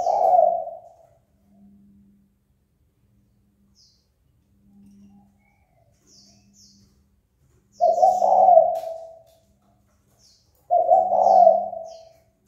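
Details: Spotted dove cooing to goad opponents into a fight: three short, hoarse, mid-pitched coo phrases separated by long silent gaps, with a steady low hum and a few faint high twitters in the background.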